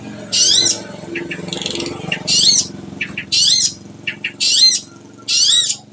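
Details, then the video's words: Long-tailed shrike, known locally as cendet, singing in harsh, buzzy bursts: five loud rasping notes about one second apart, with softer scratchy chatter and short notes between them. "kicau an cendet"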